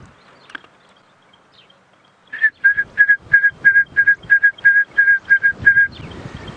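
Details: At sunrise (6:38 AM) on January 18, 2017, on a safari drive in the South African bushveld, a Stierling's wren-warbler (Calamonastes stierlingi) calls from a silver cluster-leaf tree: about a dozen clear, even whistled notes, roughly three per second, over a faint low rumble.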